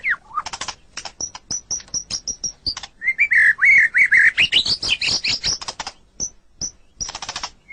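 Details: White-rumped shama song used to train captive songbirds: quick high repeated chips, a warbled rising phrase climbing in pitch, then sharp scattered notes and a burst of chatter.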